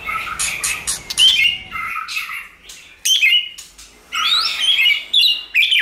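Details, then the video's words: White-rumped shama song for stimulating a shama to sing, harsh squawky bursts alternating with brief whistled notes, broken by short pauses. "Kích Chòe lửa hót nhiều giọng, Hót Căng lửa,chòe lửa đánh đuôi kích cực nhạy.luyện chòe lửa hót"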